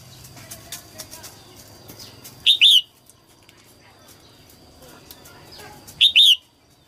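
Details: Early-season female red-whiskered bulbul singing in 2022 to stimulate males: a pair of short, loud, slurred two-note whistles separated by about three and a half seconds, with soft ticking and faint chirps in the background.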